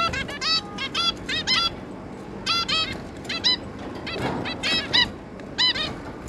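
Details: Zebra finch pair and their three juveniles give nasal, honking beeps like tiny toy trumpets, in quick bursts of two to five every second or so, several birds calling over a soft background hiss.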